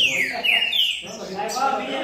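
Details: Green-winged saltator (pixarro) in the babbling song style called baderninha: three loud, clear whistles, each sliding downward, given in quick succession, then softer warbled notes.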